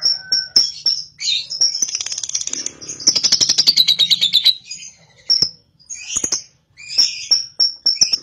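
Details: Young cobalt lovebird, ngekek to encourage another lovebird: scattered high squeaks and whistles, with a dense rapid trill for about two seconds in the middle, over a low hum.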